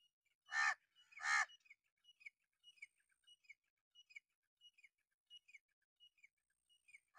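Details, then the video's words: Two loud, raspy caws from an angry crow warning of danger, followed by a long run of soft, high chirps from other small birds in the background. "how to crow angry mood Caw: A sharp, loud call, often used for alarm or warning."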